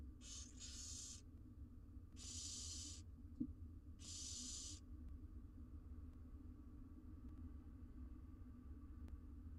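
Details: Four wild barn owl nestlings in a camera nest box in Israel, mother away: three hoarse hissing bursts in the first five seconds, one with a stuttered start, then low hum and a single knock.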